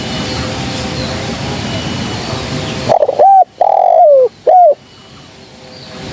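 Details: Lure call of a female spotted dove, used to attract birds for trapping: steady background hiss, then one loud phrase of quick stuttering coos, a long descending coo and a closing shorter note.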